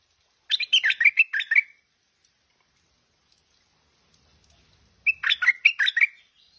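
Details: Two short bursts of bubbly warbling from a tame Stripe-throated Bulbul, each a quick run of about six liquid notes, spaced roughly four seconds apart with quiet between.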